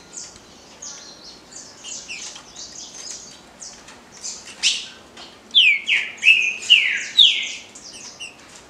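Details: Green-winged saltator singing the Paraná liso batido song style. Faint chirps and short notes come first, then a loud run of four or five slurred, whistled phrases, each falling in pitch, over the last three seconds.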